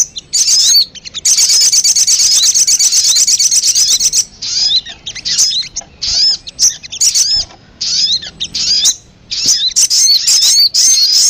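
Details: Sogon used as a lure sound to attract birds: a fast, dense high buzzy trill for about three seconds, then separate sharp chirps and short downslurred whistles in quick irregular bursts.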